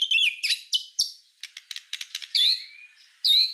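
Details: White-rumped shama master song for tutoring songbirds: high rich whistled notes, a run of sharp clicking chips, then further bright falling whistles.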